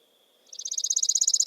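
A Chipping Sparrow's song: a rapid, dry, metallic trill of high chips, about sixteen a second, steady in pitch and growing slightly louder.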